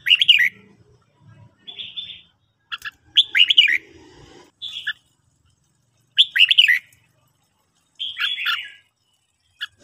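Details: Red-whiskered bulbul morning song used to train birds to sing: short bright warbled phrases, clear and sweet, given in bursts every couple of seconds, with faint low rumbling between them.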